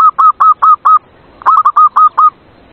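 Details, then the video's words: Zebra dove song used at night as a lure to get reluctant doves singing: crisp, staccato mid-pitched coos, five evenly spaced, a brief gap, then six more in quicker succession, with a quiet background. "Terapi perkutut malam hari paling ampuh untuk Pancingan perkutut males bunyi"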